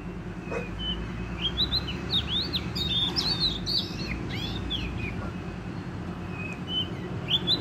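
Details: Wild Oriental magpie-robin, a trapping-context bird from the forest, singing vigorously: varied whistled phrases with rising and falling slurs and quick chirps, steady through the clip over low background rumble.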